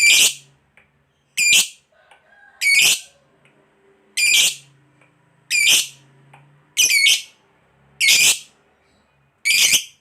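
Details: Lovebird of the fighter type giving eight loud, shrill screeching chirps at roughly one-second intervals, with a low steady hum audible between them.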